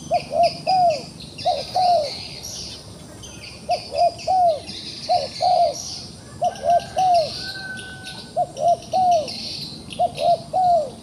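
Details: Repeated triple coos from a trapped wild dove that still shows fight. Each phrase has two quick notes and a longer slurred third, and the phrases come in a steady series with brief gaps. High insect or bird chatter fills the background.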